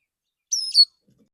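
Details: Calling to other magpie-robins, a male Oriental magpie-robin sings in a relaxed way in the morning. One very high two-part phrase is heard: a thin sustained whistle, then a louder buzzy trill.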